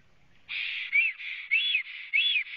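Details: Three black storks on a nest in Latvia, 24 April 2017 at 11:55, recorded by a live nest camera; after a quiet start, a steady run of whistled, arched notes begins, roughly two per second.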